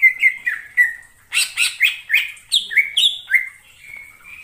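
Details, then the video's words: Greater green leafbird in the wild in forest, giving a fast run of varied whistled notes, some rising and some falling, then short buzzy bursts, ending with steady level whistles. "suara cucak ijo di alam liar_ijo hutan"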